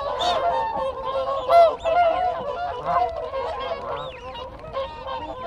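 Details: Contact calls from a whooper swan group recorded up close. Rapid, irregular trumpeting honks tumble over one another, a loud blast near the start. Thin rising-and-falling wigeon whistles and Canada geese are heard behind.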